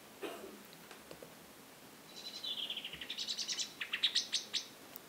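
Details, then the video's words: Common blackbird alarm call given as the bird flies off: a rapid series of sharp clicking notes speeding up and rising in pitch, then louder separate chinks, over faint background hiss. "Un extrait de merle illustre justement cette alarme, mais il n'est pas représentatif de la transcription de Messiaen. Tout au plus, il donnera ici une idée sonore."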